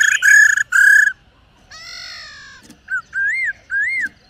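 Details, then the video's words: A female laughingthrush, used to stimulate and train caged birds, gives two harsh, buzzy bursts, then a drawn nasal note and two clear arched whistles rising and falling, all within about four seconds. "Khướu Mái Rò . Kích Trống Căng Lửa.Khướu Mái /Tiếng chim Khướu Mái"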